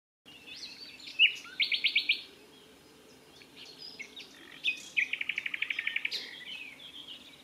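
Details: Common nightingale singing from dense scrub at the Wiekense Gat on 22 May 2022; high whistled notes and a rapid rattling trill, a pause, then clipped phrases leading into a second long fast trill, over a faint low background hum.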